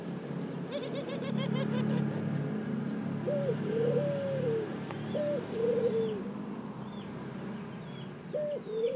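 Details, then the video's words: Repeated ring-necked dove coos, each opening with a brief high note and flowing into a longer wavering phrase, over a busy background of rattling, buzzy noise and distant chirps. "Ring neck Dove Calling"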